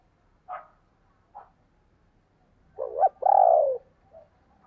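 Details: Spotted dove recorded in 2022 calling in thúc and gáy gọi styles: two soft early notes, then a rough double coo followed by a long, slightly rolling coo and a faint trailing sound.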